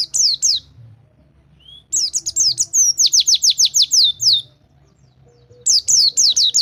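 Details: Rol tembak white-eye song used to tutor white-eyes gone silent: short bursts of high slurred notes, a lone soft whistle, then a long rhythmic series of about a dozen piercing downslurs, pause, and a final burst.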